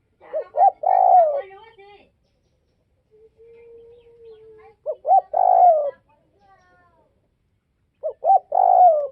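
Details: Repeated cooing of a spotted dove from northwestern Vietnam: three loud phrases about four seconds apart, each two short hoots then a lengthy descending coo. A quiet level coo sits in one gap.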